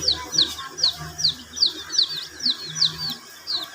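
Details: Domestic chicken chicks kept under heating, drinking water: loud, high, downward-sliding peeps repeated roughly three times a second, over a low steady hum.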